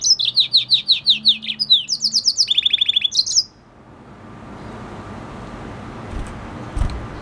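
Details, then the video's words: Singing F1 hybrid of red hooded siskin and canary: a fast series of high, buzzy, repeated downslurred notes, changing to a lower rattling trill, that runs for about three seconds and then stops, leaving quiet background hiss. "Red hooded siskin singing | Cardenalito venezuela cantando | Carduelis Hybrid | Spinus f1 canary mix"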